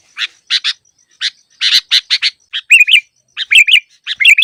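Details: Sooty-headed bulbul used as a trapping lure: several spaced harsh, buzzy notes give way to short bubbly whistled phrases, repeated in quick groups of two or three.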